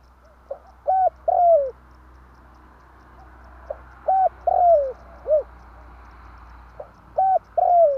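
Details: Spotted dove coo as a trapping lure, tarik akar style: three phrases of a brief note, flat coo and long falling coo, one with an extra short dropping coo, over a low steady hum.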